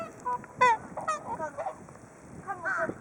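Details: Flock of whooper swans waiting for food at Hakuchodai Sebat by Onuma and Konuma lakes; overlapping loud nasal honks and bugling notes from many birds, bursts every half second or so, with a steady low background hum.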